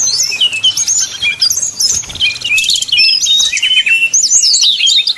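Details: Brown-chested jungle flycatcher, flute-like 'nyuling' lure song to excite rivals: busy high whistles and short trills, a buzzy rattle midway, then clear descending and rising whistled slurs.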